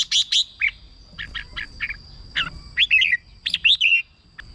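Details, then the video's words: Song of a caged red-whiskered bulbul, played to excite birds or used as a decoy: squeaky, slurred phrases and separate chirps in irregular bursts, with a steady high tone running underneath. "เสียงนกกรงหัวจุก สำหรับต่อ หรือ เปิดให้นกคึก เสียงเพราะๆ"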